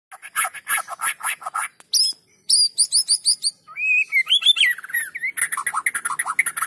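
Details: White-rumped shama in full, energetic song, used as a lure to set lazy shamas singing: dense bursts of buzzy chattering notes, then clear high whistles, a rising and falling whistled phrase, and rapid scratchy chatter at the end.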